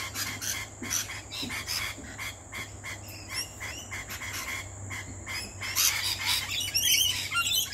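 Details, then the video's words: Two lorikeets visiting a backyard during a barbecue lunch give harsh, rasping chatter in rapid broadband bursts, about two per second, building to a denser, louder screech toward the end; a steady faint hum underneath. "Backyard Lorikeets!"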